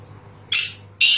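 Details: Sindhi teetar, the black francolin, giving two harsh rasping notes half a second apart against a low background hum.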